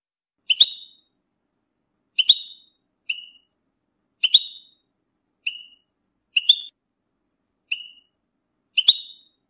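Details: European goldfinch readiness calls meant to rouse males from moult into song: short, clipped, high whistled notes, each with a brief buzzy tail, spaced roughly one second apart against a silent background.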